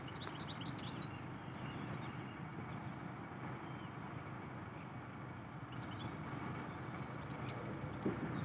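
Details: A wild European goldfinch gives brief bursts of high, tinkling twitters, a few seconds apart, over a steady low rumble of traffic.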